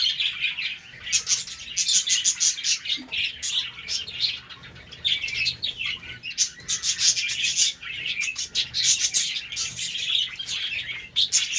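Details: Budgerigars in a colony breeding setup in the morning, playing; many birds chattering at once with dense, continuous high warbling chirps and rapid clicking notes, rising and falling in busy waves throughout.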